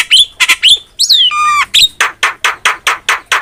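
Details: Javan myna in full song, used as a tutor recording for cage birds: a few sharp whistled notes and a flat, buzzy rattle, then a steady run of harsh rasping notes repeated about every quarter second.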